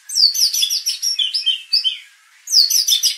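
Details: White-rumped shama song for provoking aggression in contest birds, rich rapid phrases of high whistled downslurred notes and lower liquid notes, a pause, then another bright burst.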